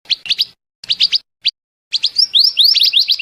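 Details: Scarlet minivet song used as a trapping lure: paired and tripled quick high notes in small groups, then a dense, continuous stream of bright upslurred whistles.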